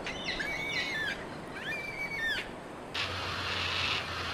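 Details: Yellow-tailed black cockatoo giving two drawn-out wailing calls, each about a second long, rich in harmonics with a bending, slightly falling pitch, followed by a stretch of steady hissing noise.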